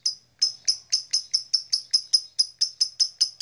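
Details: Blue-coloured black-masked lovebird giving sharp, piercing high chirps in a steady series, about four to five each second, clean with no other sounds.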